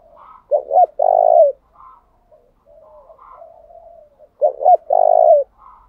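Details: Decoy spotted dove cooing in the 'thúc gù' style to provoke wild birds: two loud phrases about four seconds apart, each two short notes then a long, steady, hoarse coo, with quiet low murmuring between them.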